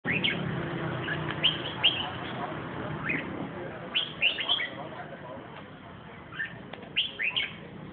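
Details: Caged red-whiskered bulbul giving short, liquid whistled phrases in bursts every second or two, over a low background murmur.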